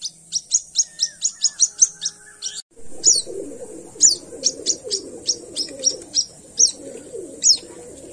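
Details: White-breasted waterhen chick found at dawn: quick series of high thin cheeps, then after a short break sparser peeps over louder rustling, low-pitched background noise.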